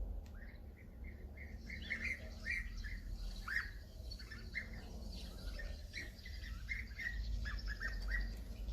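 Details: Several European bee-eaters give rolling, liquid 'prruip' calls, overlapping in quick succession over a steady low rumble; European bee-eater (Merops apiaster), call.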